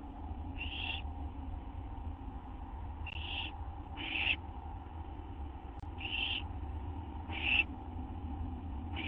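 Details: Owls at the nest after midnight on September 6, 2011, as an adult brings food; a series of six short, scratchy hissing calls at uneven intervals, with a steady low hum underneath.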